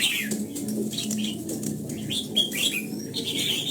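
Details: Brief stretch of red-whiskered bulbul morning song, trained in the old-forest double-note style. Several quick whistled, up-and-down phrases follow one another over a low steady hum.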